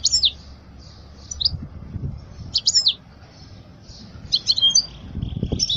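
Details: European goldfinch song aimed at teaching young birds: scattered bursts of sharp, tinkling twitter notes separated by short pauses, over a soft low hum with occasional thuds.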